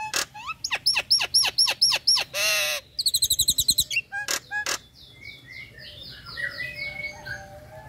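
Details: Female Nias hill myna in breeding condition calling the male: a run of loud, sharp, repeated notes, then a harsh rasping burst, a quick rattled series and softer whistles fading at the end.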